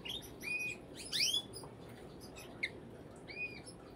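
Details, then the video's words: Brambling with a short buzzy note, then a loud, sharply falling chirp about a second in, and later scattered soft notes and a brief tick. "Brambling (Fringilla montifringilla)"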